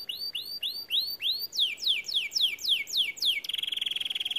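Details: White canary singing: a series of five rising upslurred whistles, then a run of quick descending buzzy notes, ending in a rapid even trill repeated about ten times a second.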